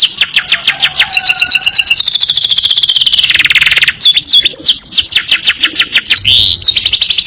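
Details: Canary master training song in long-trill style: rapid trills shift pitch over several seconds, followed by downslurred whistles and a short buzzy burst.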